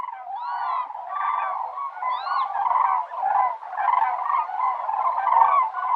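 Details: Crane (Grus) calls overlapping continuously, several birds at once producing a dense rolling chorus of harsh honking notes with occasional higher rising and falling whistled calls above.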